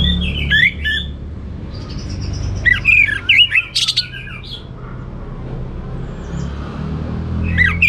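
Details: Orange-headed thrush in vigorous 'teler' style song with a rich repertoire: bursts of high, twisting whistled and chattering notes, separated by pauses, over a steady low hum.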